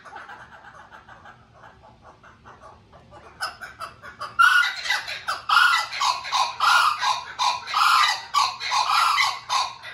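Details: A blue-winged kookaburra at a zoo or aquarium starts with soft rapid chuckles, then breaks into loud, harsh, cackling bursts repeated about once a second, rougher and less laugh-like than expected.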